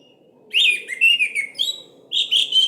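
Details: Orange-headed thrush lure song for prompting silent birds to sing: after brief quiet, loud rich whistled phrases slide up and down, pause briefly, then resume with a few more bright slurred notes.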